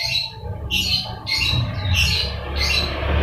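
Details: Lovebird ngekek, meant to stir a quiet lovebird into song: repeated shrill chattering phrases about every second, partly buried under a steady low hum and background noise.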